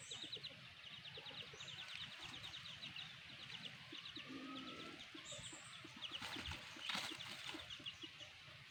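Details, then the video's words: Black hen with her chicks, their rapid high peeps forming dense rows amid a noisy outdoor background, with a brief low note in the middle and a loud knock near the end. "The Amazing Black Hen and her chicks"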